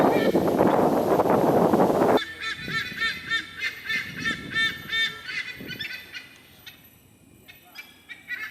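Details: White-bellied sea eagles, resident raptors, in a Singapore nature park give a raucous chorus of loud, goose-like honking notes, about three each second, after a burst of rushing wind-like noise.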